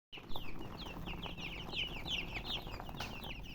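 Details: Baby chicken chicks chirping: a dense chorus of high, downslurred peeps overlapping rapidly after a brief silent start, with steady low background rumble.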